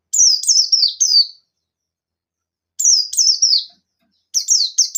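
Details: Buxton's white-eye nembak song provoking rivals: three tight bursts of three or four quick, sharply descending high chirps each, separated by short silences.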